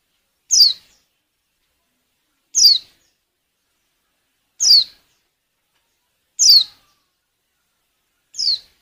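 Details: Female white-eye in breeding condition, used to get males singing for luring; five short, high, downslurred calls spaced about two seconds apart against silence.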